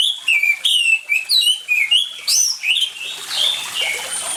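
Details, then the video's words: Close, loud orange-headed thrush song meant to get silent birds singing: a rapid series of downslurred whistles roughly one per second, becoming quicker and more jumbled, with water faintly behind. "ANIS MERAH GACOR DENGAN SUARA AIR, PANCINGAN ANIS MERAH MACET CEPAT BUNYI"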